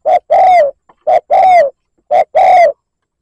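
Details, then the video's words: Spotted dove lure call in the 'liêu lỡ' cooing style, used to provoke rival birds: three quick phrases, each a short low note and then a long, falling, throaty coo, about one second apart, in clean silence. "Tiếng mồi cu gáy liêu lỡ gáy gù kích bổi"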